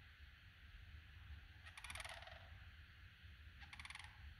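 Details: Two wild sandhill cranes almost in a backyard give two rolling, rattling calls, each about half a second long and harsh and pulsed, about two seconds apart, over low steady background rumble.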